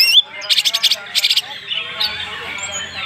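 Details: Short burst from a Banyuwangi greater green leafbird's filled song: a sharp whistle, two quick series of pulsed buzzy trill notes, then a softer warbling tail.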